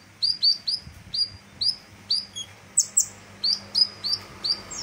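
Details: Vigorously singing sunbird, known locally as kolibri ninja, recorded for tutoring other birds: a steady stream of thin high whistled notes sliding upward, repeated roughly every quarter second, with a few sharper chirps midway.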